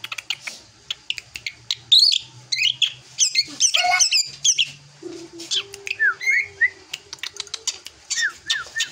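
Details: Maturing young drongo giving scratchy high chatters and twittering notes, then clearer downslurred whistles repeated toward the end. A faint low hum runs underneath.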